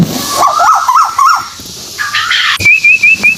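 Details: White-billed tuwu bird lure recording from Malaysia, used to attract other birds: a run of short rising whistles near one pitch, then a higher rapid wavering whistled trill, with abrupt cuts and clicks between parts.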